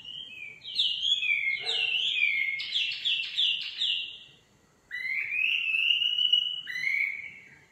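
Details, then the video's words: Nightingale song: clear rising whistles and a fast trilled burst, a short silence, then long sustained whistled notes, loud and close. "Singing nightingale. amazing bird song"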